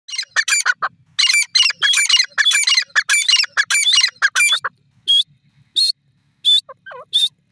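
A francolin gives loud, harsh, grating notes in rapid clustered bursts for several seconds, then a few spaced shrill whistled notes about once every second.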